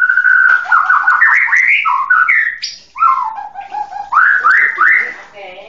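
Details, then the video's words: White-rumped shama singing a rich, varied run of loud whistled phrases: sliding, rising and falling notes that change every half second, with a brief pause near three seconds and no other sounds. "SUARA BURUNG MURAI"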